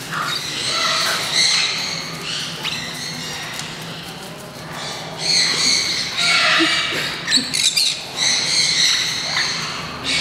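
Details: Group of green-cheeked parakeets at a Kakegawa bird park, Japan, first let out into a free-flight zone; rasping chattering squawks in loud bursts every couple of seconds, with a constant low background hum.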